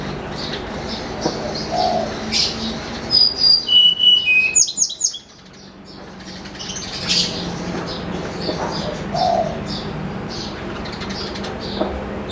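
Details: Against a noisy background with soft low coos, a snowy-browed flycatcher gives a morning lure song: a rapid falling series of sweet, high whistled notes lasting about two seconds, then hiss.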